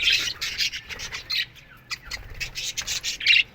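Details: Budgerigars in an aviary colony, morning: clusters of sharp chirps and squawks with a quieter gap in the middle before the chatter picks up again.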